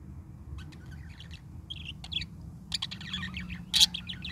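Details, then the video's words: A parakeet's morning song of scattered chirps and warbles that grows into a denser burst of chatter near the end, ending in a sharp loud squeak; faint background hum. "pretty parakeet sings morning song"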